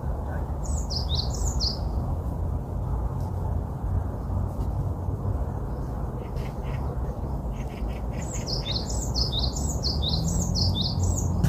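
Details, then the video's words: Small bird sings two bursts of rapid, high, descending chirped notes, one near the start and a longer one at the end, with softer mid-pitched notes between, all over a constant deep background rumble. "아름다운 새소리"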